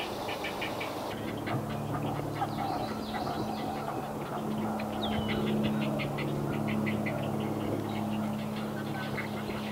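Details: Great Blue Heron babies in north-central Massachusetts, New England, calling for fish from their parents; fast, rhythmic clattering chatter, roughly three or four pulses a second, with a steady mechanical hum in the background.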